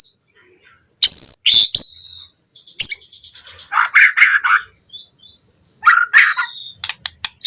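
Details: A captive-training lure of White-rumped shama song. It opens with sharp high notes, then mixes thin whistles and lower, chattering, warbled phrases with short silences between.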